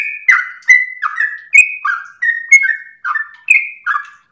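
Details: Sooty-headed bulbul pouring out its melodious long-breathed ropel song, meant as master and lure recording: clear whistled phrases, each a short downward-then-upward slur, with small gaps between bursts and a quiet background.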